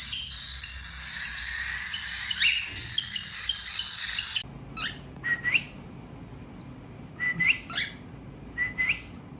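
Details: Tamed cockatiels in family song: a few seconds of dense high chatter, then it breaks off into separate short calls, each a sharp click ending in a quick upward whistle, repeated several times.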